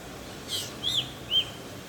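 Black drongo giving three short, high notes about half a second apart: a harsh rasp, an arched whistle, then a clipped chirp, over faint steady hiss.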